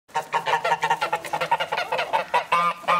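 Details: Geese calling with joy as they are let out of their house in the morning: a rapid run of short, nasal honks, roughly five or six a second, with a steady low hum beneath.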